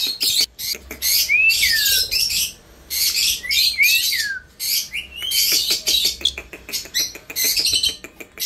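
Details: Indian ringneck parrot calling in rough screechy bursts broken by brief pauses, mixed with quick downward-slurred whistles and steady ticking clicks underneath.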